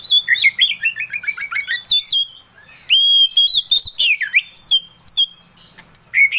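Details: Kacer (Oriental magpie-robin) song meant to make another bird sing: a descending series of quick chirps, then loud clear whistles and down-swooping slurs in varied phrases.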